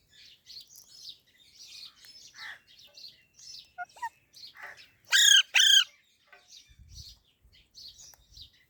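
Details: Young parrot producing a busy stream of soft high chirps and tweets, broken midway by two loud, harsh, ringing squawks, then more quiet chirping.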